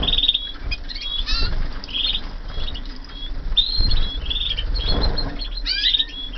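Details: Several 2014 canaries in a flight aviary sing a busy run of high warbled trills, buzzy rolls and short whistles, overlapping almost continuously, with low rumbling noise underneath.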